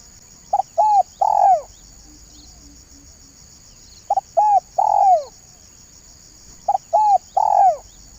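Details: Spotted dove used as a lure, calling in the banggo bocor style: three phrases about three seconds apart, each two short notes and an arched, falling hoarse coo; steady high-pitched hiss throughout.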